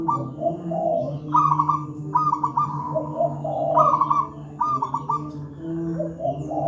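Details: Local wild-type zebra dove singing a thick, tightly spaced master song: low cooing notes alternating with rapid rolling trills, several phrases in quick succession over a faint continuous hum.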